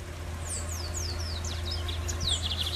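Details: A free-living Lined Seedeater sings in the wild, with a song somewhat different from the usual: a quick run of high, thin, downslurred notes, several per second, over a steady low rumble.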